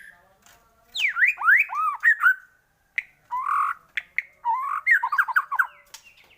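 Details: Lure recording of White-rumped shama song to excite shamas: swooping whistles and squawky slurred notes, a short pause, then buzzy phrases and a quick wavering trill.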